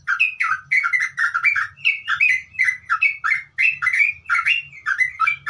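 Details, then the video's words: Bulbul singing in ngeropel style, a rapid chattering string of liquid, warbling whistles that tumble up and down without a break. A faint low hum runs underneath. "Suara Trucuk Ngeropel, Gacor"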